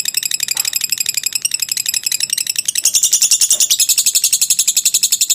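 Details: Lovebird giving a long ngekek trill, a recording used to train birds: a fast train of high, harsh chattering notes, roughly eight a second, growing louder and brighter about halfway through.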